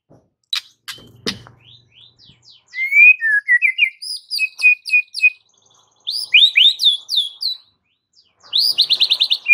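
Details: White-rumped shama training recording meant to make a quiet bird start singing; a varied run of whistled, sliding notes and short phrases, some low and some very high, closing with a rapid, regularly repeated trill.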